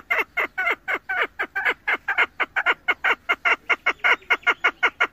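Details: Female chukar partridge calling, used by hunters: a steady series of short, harsh, clucking notes, about four or five a second, steadily repeated throughout.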